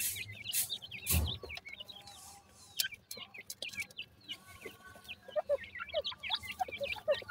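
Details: Baby francolins in the summer season keep up a steady chorus of thin, high cheeps and brief upslurred chirps from many birds. A single sharp thump comes early, and low background hum runs throughout.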